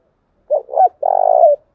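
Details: Low-pitched lure coo of a spotted dove, a female's voice used to excite decoy birds: two brief rounded coos lead into one sustained, pulsing, burry coo lasting about half a second, with silence around it.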